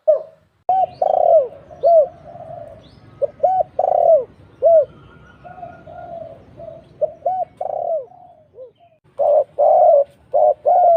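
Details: Spotted dove lure call for trapping: repeated arched coos and longer rolling coos in irregular runs, with a low background rumble throughout.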